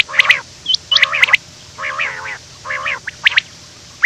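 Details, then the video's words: Morning quail on the run: clustered nasal harmonic calls, several drawn-out and slightly wavering, interspersed with a short high whistle-like note and sharp clicks. "The best sound of a quail running in the morning 2025 , Bater ki awaaz , Quail sound,Batair ki awaz"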